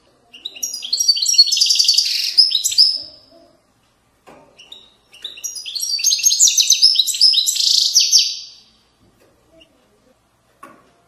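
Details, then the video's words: Goldfinch song in authentic Moroccan widaniya style: two long, rolling phrases of rapid tinkling, buzzy twitters, each about three seconds, separated by a quiet pause with faint clicks. "تغريد ويداني أصيل من ضفاف الوديان المغربية goldfinch hason chant widaniya chardonner"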